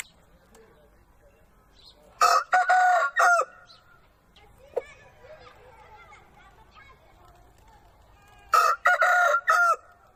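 A rooster gives two loud, harsh crows of several syllables each, the second about six seconds after the first, with faint background sounds between.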